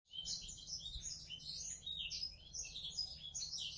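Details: Caged canary from Klaten, tutored with black-throat song, singing a dense, continuous stream of high twittering trills and chirps with quick warbled phrases, steady loudness throughout, low background hum.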